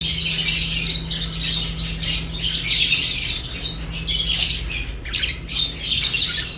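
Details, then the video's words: Lovebirds eating, giving dense, harsh high chirps and squawks in overlapping bursts, with a steady low hum underneath. "Lovebirds unique colors eating and chirps sounds"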